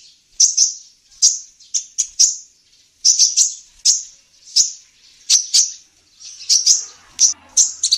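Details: Female sunbird, known locally as kolibri ninja, singing lively in a tutor recording for training songbirds: thin, very high chirps and short sharp notes spaced irregularly, with a faint low rustle near the end.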